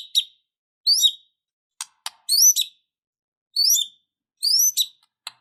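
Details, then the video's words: White-rumped shama, a caged bird described as fighting and emotional, repeating short high swooping whistled phrases with sharp clicking ticks between them. "Murai batu Super Loyo tiba Tiba Serontak Emosi Fighter,Dengan Suara Murai Batu Gacor Full isian Ini"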